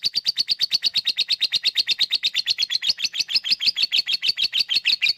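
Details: Lovebird 'ngekek' chattering song, played as a lure to get lazy lovebirds singing: a fast, continuous run of high, scratchy pulses, about six per second, wavering in pitch throughout.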